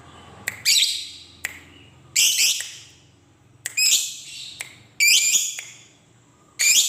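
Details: Lovebird, a fighter-type bird, giving harsh, sharp screeching bursts spaced a second or so apart, each a short raspy squawk with a falling tail, between quiet pauses.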